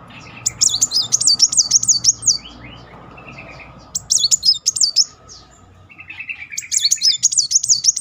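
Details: Van Hasselt's sunbird song played as a lure to trigger singing: three bursts of rapid, high, wavering notes with sharp clicks between, separated by short quieter gaps with softer lower chatter.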